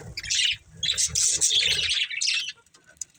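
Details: Budgerigars of a family flock chirping: two loud bursts of rasping, high warbled chatter, then fading to near quiet with faint clicks.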